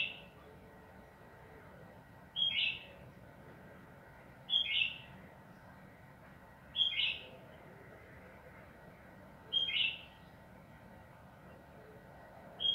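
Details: Sooty-headed bulbul singing in the lively 'ropel panjang' style, played to coax other bulbuls into song: five short, bubbly, fluty phrases repeated regularly about every two and a half seconds against a faint steady hum.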